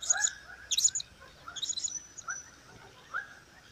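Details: Blue-crowned hanging parrot, a kept bird from 2015, giving thin high chirps and sharp squeaky notes in short bursts, with a softer lower twittering between them and faint background noise.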